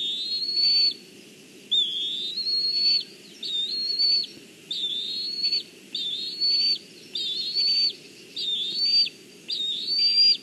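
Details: Young black kite on a branch in Kurzeme, Latvia, 14 July 2023, calling when the mother brings fish but not going to eat; a steady series of about nine high, wavering whistles, each under a second, repeated roughly once per second.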